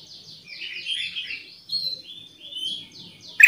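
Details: Kutilang emas, the Black-crested bulbul, in lively lure song: soft slurred warbling notes running in a loose descending and rising chain, with a sudden loud sharp note at the very end.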